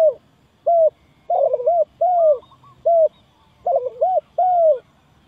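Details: Trapping lure of a spotted dove: repeated soft hooting coos, alternating quick stuttered double notes and long slurred falling coos, about four phrases in five seconds, heard clearly against silence.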